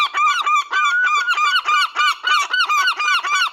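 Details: Seagulls during feeding keep up a steady, rapid stream of loud, ringing, nasal yelps, nearly four notes per second, without a break.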